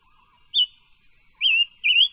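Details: Silver-eared mesia singing during voice training: three loud, clear whistled notes, a brief first note, then two longer slurred notes close together with bright overtones, over a quiet, clean background.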